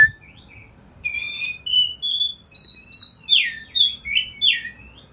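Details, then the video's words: Ngeplong bird song serving as training material for a magpie robin. After a short opening note comes a fast series of high, bright chirps and slurs, nearly three per second. "suara ngeplong"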